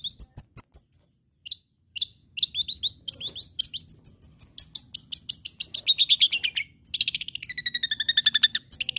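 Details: Long-tailed shrike in lively full song, used as a lure to prompt other shrikes to keep singing: scattered high clicks, then a rapid chattering run of varied notes sliding gradually downward, ending in a fast repeated series.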